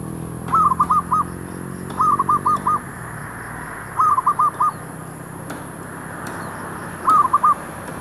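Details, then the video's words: Zebra dove, a decoy bird used to lure wild doves near a shop area, giving four rippling phrases of four or five quick cooing notes spaced about two seconds apart, with low hum early on. "MEMIKATMERBUK / PERKUTUT DI KAWASAN KEDAI"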